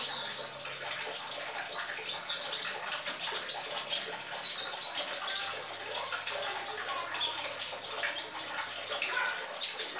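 A young sunbird twitters a rambling, high, scratchy stream of thin chips and squeaky whistles, almost without pause, practising its song.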